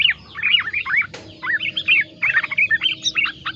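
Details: Yellow-vented bulbul delivering a song laced with green leafbird (cicak ijo) phrases: rapid bubbly slurred notes, a brief click near the middle, then fast chattering chirps.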